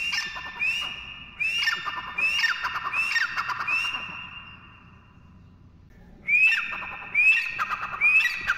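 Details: Partridge, locally teetar, calling in bursts of sharp rising whistled notes repeated roughly once a second, a quiet pause of about a second and a half midway, then the series resumes with the same upslurred notes.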